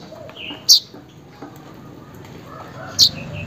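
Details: Weaver calling a rival or mate, used as a lure for a weaver that has stopped singing: two sharp, high, clipped chips about two seconds apart, with quiet background between.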